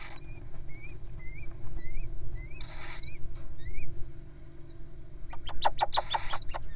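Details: Wild little owls begging as they are fed: a run of short rising squeaks at a steady pace, then a patch of rustling and a cluster of sharp clicks, with low hum beneath.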